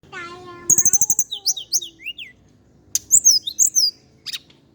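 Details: Javan indigo flycatcher song: after a low harmonic tone at the start, a rapid series of very high chirps, then thin downslurred and upslurred whistles repeating in short bursts, with a second fast chirp run near three seconds.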